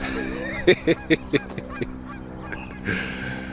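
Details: Geese near wetlands in spring, a morning in late May, give four loud, harsh honks about a quarter-second apart as they become alarmed at a person, then a few fainter ones, over a steady low hum, faint bird chatter and croaking frogs.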